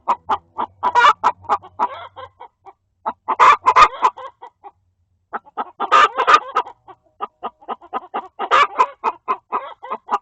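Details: Chickens in a coop, a second hen apparently scolding one laying an egg: bursts of quick clucking separated by short pauses, each group peaking in a harsh, broad squawk, with a faint low hum in places.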